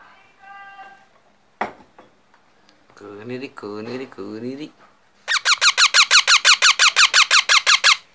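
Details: Human speech and a clap come first, then a baby parrot gives a long, regular run of about seventeen harsh, buzzy squawks, nearly three per second.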